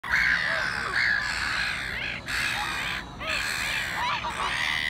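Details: A trio of black-headed gulls squabble among themselves in harsh, grating overlapping calls, strained cries rising and falling about once a second.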